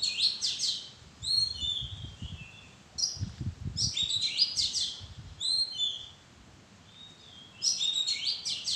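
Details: Oriental magpie-robin in a madan tree bower: varied high, sweet whistles and quick chirpy notes in phrases of one to two seconds, a quiet gap near the end, then another burst, with low rumbling noise beneath.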